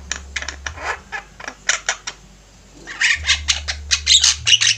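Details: Several Javan mynas chattering energetically, recorded as a master for training other birds: bursts of scratchy, squawking notes, sparse at first, then a dense, louder run of harsh calls, with a low droning hum underneath.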